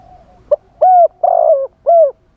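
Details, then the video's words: A decoy spotted dove calls live to draw in wild doves. It gives one wild-style cooing phrase: a brief opening note, then three deep, rounded coos, the middle one longest and slightly wavering. "เสียงต่อนกเขาใหญ่ คารมป่า 100 % ต่อสด"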